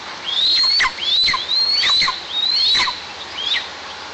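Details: Nest-camera recording of a white-tailed eagle in a tall pine in oil-producing south-eastern Tatarstan, 26 July 2024, calling in vain for an absent bird; five high, upslurred whistles with short downward flicks, repeated about every 0.6 seconds.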